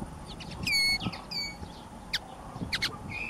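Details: Common linnet (Linaria cannabina) sings a quick, varied twitter of bright whistles and short buzzy notes, with a faint rural hum behind.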